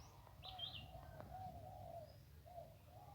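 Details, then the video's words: Zebra dove in khu ang style near a tree by the Ping river in Lamphun, Thailand, where wild doves are lured with a decoy; low rounded rolling coos, with a sharp high bird chirp early and outdoor background hum. "นกคูอ่างเจ้าเสน่ห์ริมปิง ได้นกโล่ง 1กุกขันเพราะๆ"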